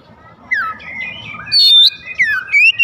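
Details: Magpie-robin (kacer) singing to stir rival birds into song. Sweet, varied whistles include downward slurs, a bright sustained high note and a rising final phrase.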